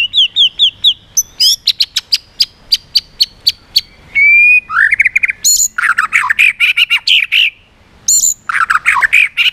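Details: Strong white-rumped shama song in the swiftlet-imitating style, fast switching of phrases with tail flicking, aimed at provoking other birds; clear descending whistles, a rapid series of loud clicks, then harsh, dense bursts of bright notes.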